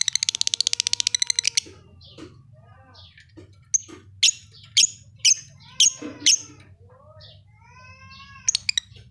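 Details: Lovebird from Leuwimunding, described as singing very actively (gacor): a fast burst of high ticking chirps, then sharp piercing squeaks spaced about half a second apart, with soft rising and falling whistled notes between them over a low steady hum.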